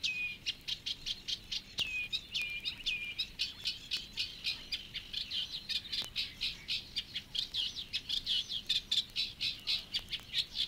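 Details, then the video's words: Reed Warbler singing in the reed beds of Matsalu, Estonia, a 1979 field recording: a steady, chattering run of rapid scratchy notes repeated several times a second, with a few short slurred whistles early on and a quiet background. "Reed Warbler"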